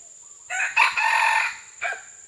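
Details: Red junglefowl recorded on June 12, 2011, giving a loud harsh crow: a short opening note, then a strained, sustained middle phrase, and a brief final note after a pause; steady high hiss in the background.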